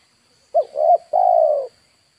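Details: Spotted dove calling to lure wild birds, Indonesia: a single phrase of two short rising coos followed by one longer, steady, slightly falling coo.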